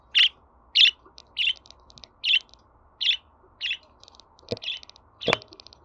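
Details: Budgerigar chatter for pet birds, used to help a young budgie settle in with people: a fast series of sharp, scratchy chirps, nearly two a second, with faint ticking and two dull knocks late on.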